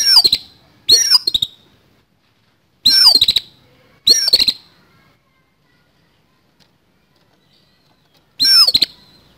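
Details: A caged oriental magpie-robin gives a coarse, fighting-style song: five short, harsh bursts of fast sweeping whistles and rasping notes, spaced by brief pauses, over an otherwise quiet background.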